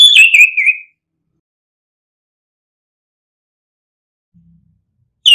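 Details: Orange-headed thrush song in the ngeplong style, used as a lure to get quiet birds singing: one clear whistled phrase, high then sliding lower and wavering, followed by long silence and the start of another phrase at the end.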